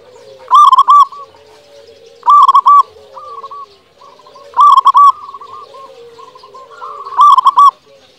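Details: Local zebra dove in full song, used to stir quiet doves into singing: four loud rolling coo phrases come roughly every two seconds, separated by softer murmured cooing.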